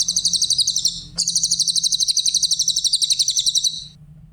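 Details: High, thin trills from a Grey-headed canary-flycatcher, recorded for tutoring other songbirds: a short rapid burst, a brief pause, then a longer evenly beaten trill of about two and a half seconds.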